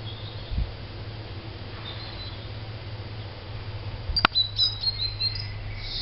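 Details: A great tit nesting in an empty attic, entering under the roof tiles, gives thin, high chirps, one early and a quick run of several near the end, over a steady low hum with a sharp knock.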